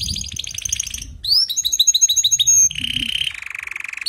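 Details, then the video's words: Canary song to help a canary weak in singing: a buzzy pulsed trill, a run of rising slurred notes, then a lower rapid trill over a soft background hum. "إذا لديك كناري ضعيف في تغريد سمعه هذا الغناء وشاهد الكناري ماذا يفعل"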